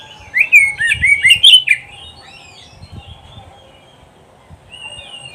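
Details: Oriental magpie-robin (kacer) singing for pet-bird training: a dense run of slurred whistles and sweeping notes for about a second and a half, then near silence and a soft returning whistle.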